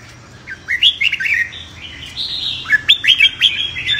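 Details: Competitive fighting song of red-whiskered bulbuls, meant to fire up birds in training: a quiet start, then quick chirpy, whistled notes sweeping upward, crowded bursts of short phrases near the end.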